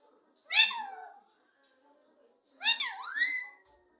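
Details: Chatty pet parrot utters two rough, voice-like phrases, each a harsh burst sliding down then swooping upward, a second of silence between them, indoors.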